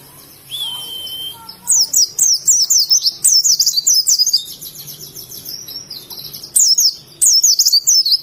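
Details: Oriental white-eye, Indonesia, singing ngalas: after a faint thin whistle, dense volleys of high, wavering chirps come in rapid succession, with short breaks between the bursts.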